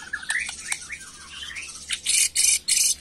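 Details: Agitated white-rumped shama singing in the macul style. Faint whistled notes lead into three loud bursts of harsh, buzzy chatter spaced about a third of a second apart.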